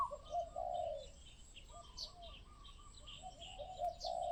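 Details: Spotted dove cooing at a distance: soft, low, hollow coos in short phrases, with faint higher chirps from other birds and a quiet background hiss.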